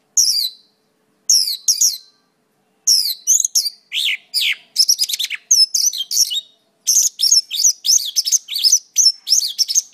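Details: Mongolian lark singing: bursts of rapid, varied chirps and trills, high-pitched with sweeping and buzzy notes, starting in short phrases separated by pauses and then running into a near-continuous twittering stream; background otherwise quiet.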